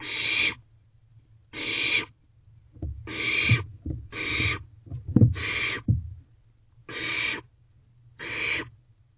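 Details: Barn owl owlets in a nest box at 2:17 am in May, one preening a sibling, giving loud harsh hissing screeches about every second and a half, with scratching and shuffling in the box.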